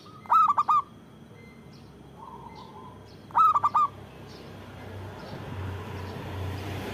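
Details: Local zebra dove with a loud, lively voice, used to lure and provoke others: two short cooing phrases of three to four clipped notes about three seconds apart, with faint background hum.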